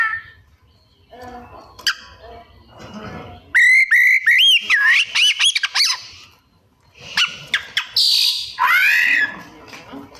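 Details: Oriental magpie-robin in energetic song with mimicked inserts: soft warbles building into rapid trilled whistles and sharp clicks, a pause, then harsh buzzes and sweeping slurred whistles.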